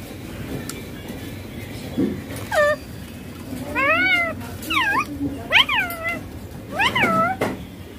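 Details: Rose-ringed parakeet (ringneck green parrot) talking while playing on a mobile phone: about five clear, strongly harmonic, arched and rising-falling squawky vocal phrases spread over several seconds, with a low steady background hum.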